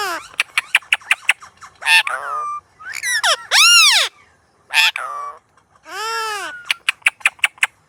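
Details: Indian ringneck parrot; rapid sharp clicks alternating with loud, arched, harmonic squawks and drawn-out screeches, ending in another quick burst of clicks.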